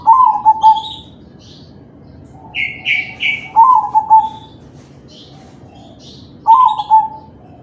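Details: Crossbred zebra dove with a 'kalung tempuk' neck ring, singing ('manggung'), recorded as a lure to prompt other doves to sing. Three bubbly, rolling coo phrases a few seconds apart, with brief higher chirps from other birds between them.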